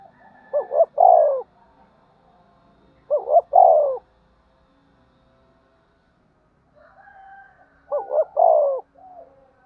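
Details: Spotted dove fighting and calling, repeating a three-part phrase of two short rising coos and a long falling coo, three times over about ten seconds, with soft cooing between.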